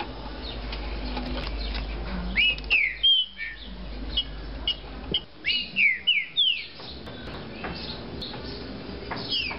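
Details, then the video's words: A captive green-winged saltator gives two bursts of loud, rich whistled phrases, slurred up and down in quick succession, over a steady low hum. "TRINCA FERRO DE FIBRA"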